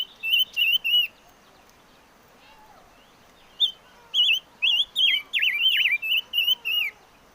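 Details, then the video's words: Chim ngũ sắc songbird singing: bright whistled notes, some bent and warbling, in short phrases, first a group of three, then a pause, then a quicker run of rising and falling whistles. "Chim ngũ sắc hót hay"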